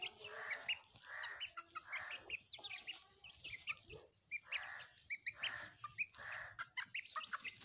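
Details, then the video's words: Pet hens and chicks playing together: a series of harsh, rasping clucks in bursts about every half second, with brief high chick peeps scattered between them. "My chicks pets and my hens pets were playing"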